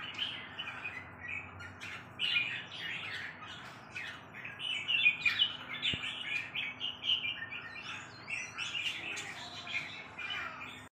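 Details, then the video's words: Red-whiskered bulbul singing a run of chattering, warbled notes, quickening in the middle, with a thin rising whistle near the end over constant low hum. "merbah jambul"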